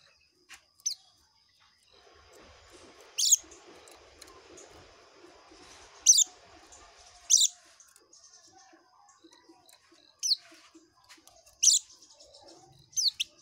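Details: Oriental white-eye singing ngekek style: isolated very high, thin, downslurred tsee notes spaced one to three seconds apart, each short and sharp, over a quiet background.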